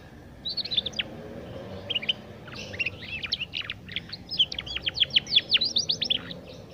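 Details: Young domestic canary learning to sing, used as a lure to prompt other young canaries to sing sooner; scratchy bursts of rapid, steeply descending notes build into a fast, dense trill, with a soft background hum.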